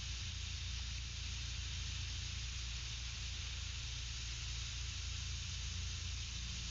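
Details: Only a steady hiss of broadband noise with low hum is heard, and no animal call can be picked out.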